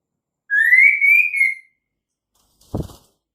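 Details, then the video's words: Female white-rumped shama, whose call lures males into singing: one long smooth whistle that rises gently and then fades, followed by a short dull thump. "suara KHAS murai batu BETINA untuk Pancingan Murai jantan AGAR GACOR"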